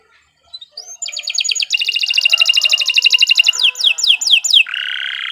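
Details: Kenari 86 canary in long continuous song for training beginner birds: soft opening notes, an extended fast buzzy roll, several sharp downslurred whistles, then a sustained lower buzzing tone.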